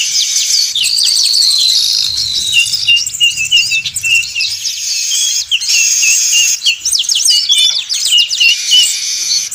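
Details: Lure recording of weavers in the 'manyar ribut' style: continuous high, scratchy chattering with sweeping whistles and bursts of rapid clicking notes, several birds overlapping, a soft low hum in the first seconds.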